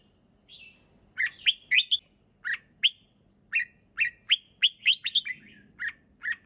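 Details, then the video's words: Red-whiskered bulbul in easy, clear song: a soft opening note, then a quick run of sharp liquid chirps and short warbles, closely spaced and repeated, over a faint low background hum. "เสียงนกกรงหัวจุก ร้องสบายๆ เสียงชัด!!"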